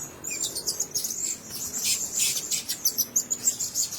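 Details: Caged blue-crowned hanging parrots giving dense, very high, thin chirps and squeaky notes in quick irregular bursts, roughly three per second, with faint soft rustling beneath.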